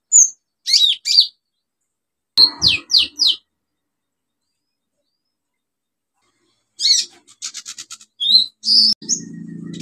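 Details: Olive-backed sunbird singing as a lure for birds that have stopped singing: short groups of high rising notes and scratchy chips separated by long pauses, ending with a faint low hum.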